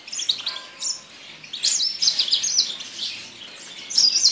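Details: Yasmin bird singing: bursts of high, thin chirps and twittered trills, short phrases separated by brief pauses, with a faint hiss in the background.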